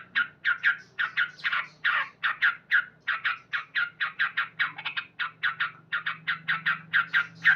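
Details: Male Sooty-headed bulbul singing loudly at dawn, a long even series of clipped, chattering notes, roughly four per second, with a soft steady low hum underneath.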